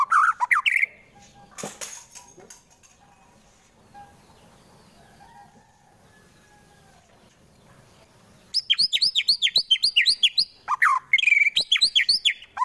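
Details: Fighter White-rumped shama kept caged in Wonosobo, Central Java, with song meant to make rivals angry: a loud opening phrase, a long quiet stretch, then dense runs of high, sharply repeated chattering notes.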